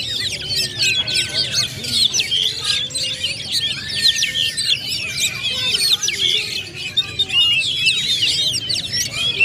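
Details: White-rumped shamas singing together in a competition area, all in full voice: a dense, continuous tangle of high whistles, rapid trills and chattering phrases overlapping throughout, with faint low background noise.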